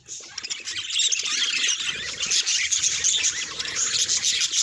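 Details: Budgerigars kept as pets, calls linked to their emotions: chatter builds from a softer start into dense, squawky high twittering from many birds, holding steady to the end.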